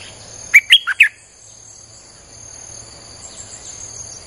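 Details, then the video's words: Streak-eared bulbul played as a lure for wild birds: one fast phrase of four bright chirps, followed by quiet with only a steady high-pitched insect drone. "เสียงนกดอกแตงEp.159จ้าวขุนศึก สับดอกแบบไม่พัก!!ใช้เปิดล่อนกป่า Suara pikat merbah lekir"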